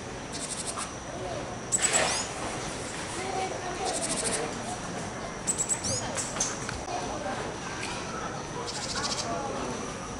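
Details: Japanese tit at Marinepia Nihonkai, filmed 21 June 2023; several short, high, buzzy bursts come in quick clusters a few seconds apart over a steady background hiss and low rumble.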